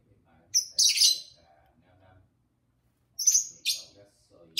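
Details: Pet lovebirds, a pair, talking and singing indoors: a burst of piercing high chirps, a quiet gap of about two seconds, then two more shrill chirps and the start of another.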